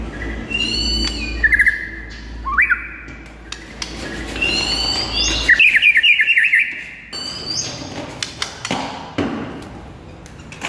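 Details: White-rumped shama in full morning song, recorded as masteran for training and luring: varied whistles, quick trills and sharp notes in bursts, with a low hum under the first half.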